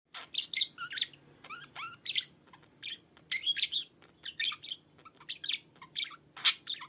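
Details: Pet budgerigar singing on top of its cage on a Sunday morning indoors: a rapid chattering warble of squeaky, buzzy chirps and a few short rising whistles, delivered in quick bursts with brief pauses throughout.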